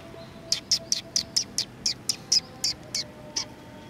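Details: Sparrows welcoming arrivals at a community hall on 16 July 2020: a steady run of about twelve crisp, high chirps spaced roughly a quarter second apart, over a faint steady hum.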